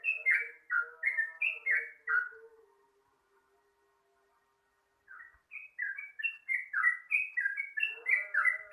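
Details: Dawn lure song of a sooty-headed bulbul: two bursts of rapid, gurgling whistled notes, rising and falling, separated by a silent gap of about two seconds.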